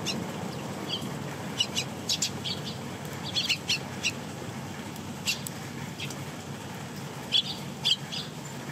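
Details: Wet sparrow fledglings feeding on a balcony in heavy rain while adults hold back; frequent thin, high chirps in short bursts, some closely paired, against continuous rainfall noise.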